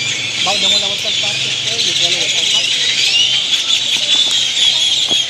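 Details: A big crowd of great-tailed grackles in Granada, Nicaragua, calling as they settle into their night roost; a constant high, shrill chattering mass of squeals and whistles, with a man talking softly below.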